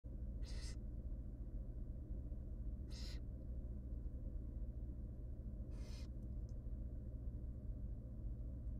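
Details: Three tiny wild barn owl nestlings in a monitored nest box beg as their mother feeds them: three harsh, breathy hissing screeches, each about half a second, spaced irregularly over a steady low electrical hum.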